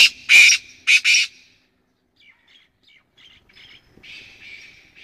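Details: Black francolin giving three loud, harsh, scratchy screeches in quick succession, followed by softer, distant rasping notes and faint scratchy bursts trailing off.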